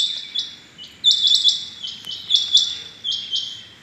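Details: Rain quail on 6 July 2021 in the morning: a few closely spaced, fairly soft phrases of high, clipped notes, the middle ones louder and quicker.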